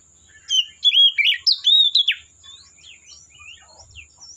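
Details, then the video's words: Wild Oriental magpie-robin from the forest delivering a burst of rich, slurred whistles for about two seconds, then quieter, thinner twittering notes trailing off beneath a constant high hum. "Suara Burung Kacer Asli Hutan"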